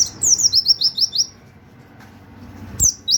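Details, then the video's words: High-pitched white-eye 'nembak' song with canary-like 'wit wit' notes, for tutoring other birds: a fast series of short downslurred whistles for over a second, then a lull with low background hum, and two more sharp notes at the end. "pleci nembak wit wit kenari cocok buat masteran"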